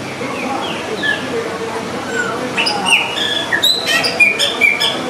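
Austral blackbird singing a jumble of clear whistles, slurred notes and short sharp chirps, growing busier and higher toward the end.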